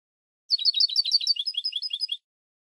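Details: European goldfinch from a Spanish silvestrismo song CD, singing a fast run of about twenty bright, twittering notes that flick quickly up and down. The burst lasts under two seconds against a silent background.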